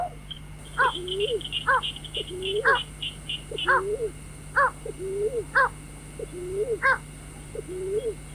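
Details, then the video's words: Lure recording of a white-breasted waterhen for trapping birds at night: harsh layered calls roughly every second, each trailed by a low rising-and-falling croak, with faint high twittering from another bird and constant background hum. "tiếng chim vẽ Dung cuốc"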